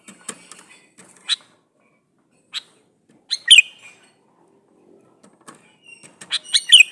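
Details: Male sooty-headed bulbul calling for a female, played to draw replies from other bulbuls; scattered short bright notes build to loud, bubbly two-part phrases around the middle and at the end.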